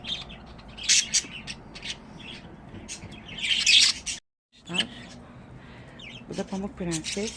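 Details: Several pet budgerigars chatter with dense bursts of high, scratchy chirps and warbles during the first half. A brief gap follows, then a person's voice with a few more chirps.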